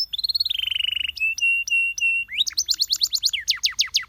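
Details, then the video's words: Canary song meant to coax other canaries into song: a fast trill sliding downward, then sustained level whistles broken by clicks, followed by rapid strong descending strokes. "Canaries seduce friends to sing!"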